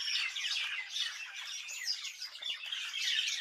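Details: Birds in a village chirp all at once, overlapping high twitters with a few clearer whistled notes standing out from the chorus.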